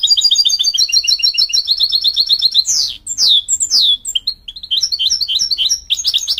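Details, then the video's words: Mule goldfinch, a canary-goldfinch hybrid, sings a fast chattering trill of doubled high notes, then loud downward-sweeping whistles and sharp chirps, ending with quick varied twitters. "Creativity and excellence in Mule Goldfinch singing"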